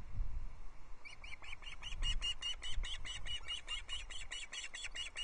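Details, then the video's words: Ospreys at the Loch Arkaig nest on 17 July 2022, excited by the arrival of a third fish: steady run of piercing, high chirps, about four per second, continuing for four seconds over low rumble. "Everyone starts chirping when fish number three arrives on the Loch Arkaig Osprey nest"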